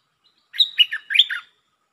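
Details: Red-whiskered bulbul giving a song in the style called lak-beun (double); one brisk phrase of about a second, four or five liquid, warbling notes rising and falling, the last ones loudest, over a quiet background.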